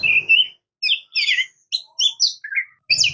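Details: Song of an Oriental magpie-robin (murai kampung, kacer): a sustained whistle followed by short separated chirps and twittering notes, each burst brief and sharp, with a faint low hum behind.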